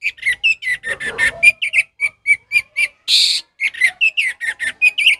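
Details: Orange-headed thrush in the full, open 'ngeplong' singing style, used as a tutor song for training captive thrushes that have stopped singing: loud, rich whistled phrases in quick succession, varied and fluty, with a brief burst of harsher buzzy notes midway.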